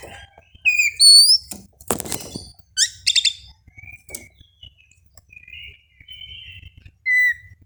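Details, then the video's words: Oriental magpie-robin singing at dawn, aired in the morning dew so it does not become over-aroused: clear high whistles, some sliding upward, with dry clicking notes between and short pauses of quiet. "suara kacer di subuh hari"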